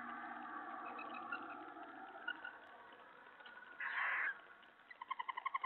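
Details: Owl at night, 3:10 AM on July 31, 2017, bringing a mouse in one of sixteen nightly food deliveries; a soft murmur, then a brief harsh hissing burst, followed by a fast run of squeaky pulsed notes.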